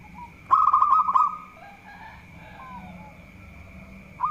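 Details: Singing local zebra dove, said to excel at provoking opponents: one loud burst of fast, purring coo notes lasting under a second, followed by faint distant cooing and a steady high whine.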